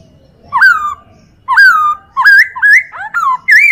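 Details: Chinese hwamei singing a tutor recording used to train other birds: loud, clear whistled phrases that slur up and down, given in separate bursts with short pauses, indoors with no other sounds.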